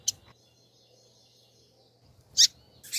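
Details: Calling female double-collared seedeater: a short high chip, then after a pause a loud rasping chip and a final harsh burst. A faint thin tone lingers between them over a low hum and soft rustling.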